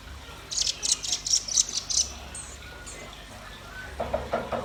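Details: Buzzy, very high bursts repeated about twice a second from a red-billed nuthatch or white-rumped shama, then a pause and a lower series of rough notes near the end.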